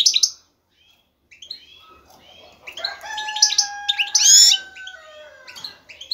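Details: Male goldfinch calling a female to mate, starting with a sharp chirp, then varied twitters over a long, steady, gently falling tone, peaking in a loud buzzy flourish.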